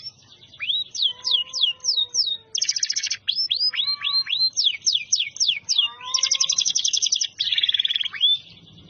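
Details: Canary in full song, stringing together fast upward-flicked whistles, dense rattling trills and soft lower warbles into one long unbroken, richly varied phrase.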